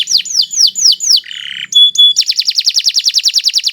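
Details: Kenari Nusantara canary in full, loud training song: five descending whistled sweeps, a low buzzy rattle, two pure high whistles, then a fast ringing trill repeated steadily about six times a second.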